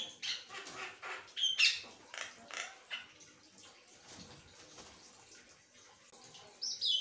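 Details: Nonstop chatter from an Asian pied starling: three seconds of scratchy, buzzy notes and a clear whistle, then a quiet stretch before a sharp high note returns at the end.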